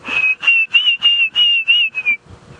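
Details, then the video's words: Distant Diederik cuckoo heard on a sunrise safari drive in South Africa, December 2016: a quick run of about eight clear, high whistled notes, roughly four per second, the last note sliding downward. "You can hear the Diederik's cuckoo. Oh,"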